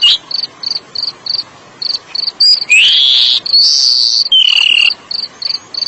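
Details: Oriental magpie-robin song for calming stressed kacer: loud drawn-out whistles sweeping up and down in the middle, framed by a regular high chirping pulse.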